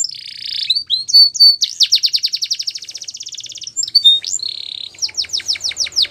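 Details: Canary song with a buzzy opening note, a rapid rolling trill, sliding whistles and a closing series of quick repeated downward chirps, strong and clean throughout.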